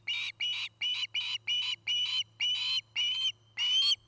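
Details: Osprey at its nest in Charlo, Montana, on a nest camera, 9 August 2018, early afternoon: nine loud whistled, slightly buzzy notes about half a second apart, some rising at the end, over a steady low hum.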